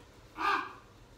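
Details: Common raven gives a single harsh, hoarse croak about a quarter-second long against a quiet, faintly humming background, in North America on 14 January 2020, early in the raven's winter courtship and mating season.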